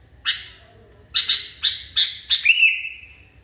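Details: Kutilang (sooty-headed bulbul) described as wildly agitated; one scratchy note, then a quick run of four harsh rasps ending in a sustained, slightly descending whistled tone lasting about a second.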